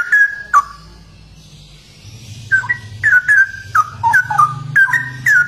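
A straw-headed bulbul gives short, liquid whistled phrases, rich and bubbly, tumbling in quick bursts after a pause, over a steady low background hum.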